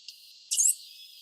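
A Swallow Tanager gives a brief, very high, thin twittering phrase, preceded by a faint, sharp tick; nothing else is heard.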